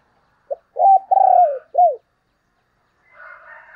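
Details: Spotted dove decoy call meant to lure other doves: one low phrase of a short coo, a long drawn falling coo and a final curved coo, followed by a quieter buzzy higher sound.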